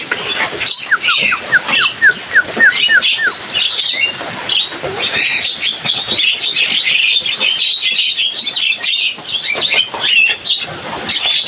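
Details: Series of quick descending whistled notes from Javan myna early on, followed by continuous busy high chattering and squeaks from a lively group.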